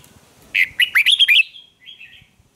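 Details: Red-whiskered bulbul competition song, used to train young birds' voices: a brisk run of about six bright, looping warbled notes lasting under a second, followed by a softer trailing twitter.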